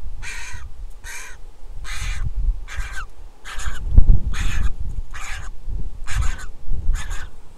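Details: Nestling griffon vulture in Israel, hatched 22.4.21, calling for food at feeding time on 23.7.21: a steady series of about ten grating, wheezy cries, evenly spaced, with a brief low thump midway.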